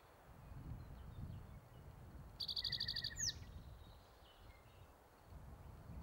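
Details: Spotted towhee male singing on territory, Metcalf Wildlife Management Area, Nebraska, May 23, 2023. One song: a quick high trill with a swooping final note, while a lower, steady trill from another bird runs briefly beneath it. Low rumble throughout.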